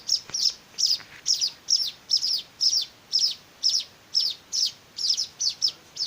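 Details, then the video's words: Hand-fed weaver nestlings calling for food: bright, high-pitched chirps, often doubled, repeating roughly every half second with clear gaps between bursts. "meloloh anakan burung Manyar"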